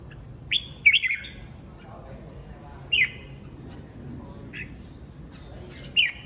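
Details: A red-whiskered bulbul sings in the morning, giving a fast twisting whistled phrase, then single clear notes spaced about two seconds apart, with a constant high-pitched hum behind.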